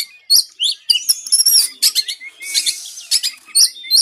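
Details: Lively white-rumped shama song for coaxing caged birds to sing: quick whistled notes and chips, a dense tangle of trills, a harsh buzzy passage, then sharp high whistles.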